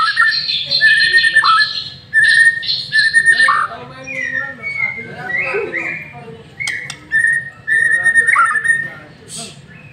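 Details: White-rumped shama lure song, sung vigorously: sequences of loud clear whistles and varied rapid phrases, some sliding, separated by short pauses.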